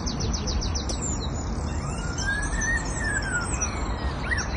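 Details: A bird perched in a tree beside a police car outside a roads policing base in Bicester, Oxfordshire, gives quick high falling chirps, then a long rising-and-falling whistle mimicking a police siren, over a steady low rumble.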